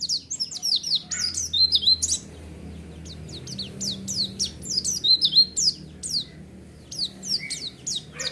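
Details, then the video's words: White-eye song played to lure other white-eyes into responding: repeated bursts of fast, high, down-slurred chirps and twitters, several notes a second, separated by short gaps, with a faint low hum. "Pancingan Suara Burung Pleci"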